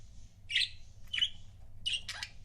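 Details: Captive budgerigar couples make three short, sharp chirps about half a second apart, some with a harsh, squawky edge, over a quiet indoor hum.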